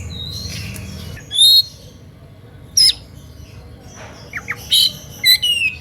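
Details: Oriental magpie-robin singing emotionally to draw rival magpie-robins into singing; sharp high whistles and brief squawky phrases come in short bursts, ending with a cluster of quick rising and falling notes.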